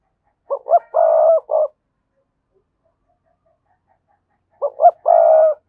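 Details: Spotted dove cooing to draw rival males in to fight: the same phrase twice, four seconds apart, two quick short coos, a long vibrating coo and a short final note, with silence between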